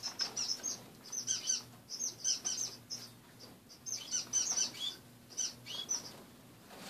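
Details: Pet finches kept in a cage call after dawn, trading clusters of high, sharp chirps and brief twitters in irregular bursts over a faint hum.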